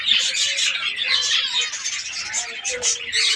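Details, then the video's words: Budgerigars in an aviary breeding colony in Pakistan keep up a busy flow of high warbles and chirps in pulsing bursts, many birds calling together without pause. "australian parrots budgies ke birds colony"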